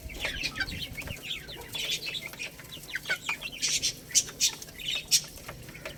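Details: Several baby chickens feeding on rice give quick high peeps, about one or two a second, irregular, over a steady patter of short clicks.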